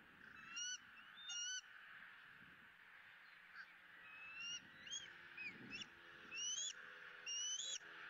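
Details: Southwest Florida nest camera, 20 April 2017: a bald eagle eaglet squeals while fed its second fish of the day, with piercing upward-slurred notes in clusters and short bursts separated by brief pauses.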